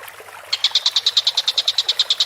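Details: Collared kingfisher, calling vigorously, bursts into a rapid series of about sixteen sharp, harsh notes after a short quiet start, each note crisp and evenly spaced.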